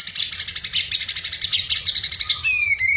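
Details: White-rumped shama (murai batu) in full continuous song meant to agitate a neighbour's bird: a high, fast, rattling trill held for over two seconds, ending in a clear descending whistle, over a faint low hum.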